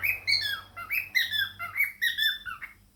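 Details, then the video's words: Indoor pet cockatiel kept with budgies, chattering and singing: a run of whistled, sliding chirps with rising and falling notes, given in quick bursts over a faint low hum. "cockatiel and fam: Chattering, singing and dancing"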